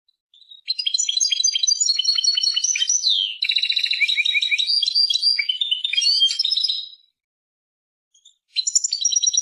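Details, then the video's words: Song of a European goldfinch, called Persian, with a long rambling sequence of sweet twitters, slurred downward notes and rattling trills, a silent gap, then a fresh twittering burst. "Persian goldfinch songs اواز سهرهاي اروپاي"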